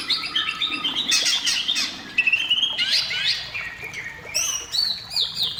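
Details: Varied, high white-rumped shama song used to prompt shamas to sing, mixing bright whistles with buzzy, scratchy notes and quick flourishes.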